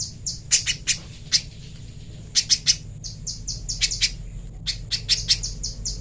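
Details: High, sharp notes from a little spiderhunter on a clean training recording, delivered in uneven clusters of two to five quick calls with brief gaps, over a faint low background hum.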